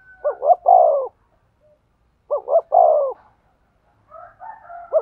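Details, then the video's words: Spotted dove cooing to stimulate a male: phrases of two short rising notes and a long falling coo, repeated about every two seconds, with a faint higher whistled tone at the start and end. "tiếng chim cu gáy thúc gù, tiếng chim cu gáy kích bổi"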